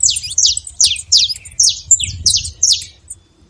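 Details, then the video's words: Saffron finch singing in the wild: a steady string of high, clipped chirps, about two or three per second, each a quick downslurred note, fading at the end; low rumble beneath. "canário da terra livre na natureza"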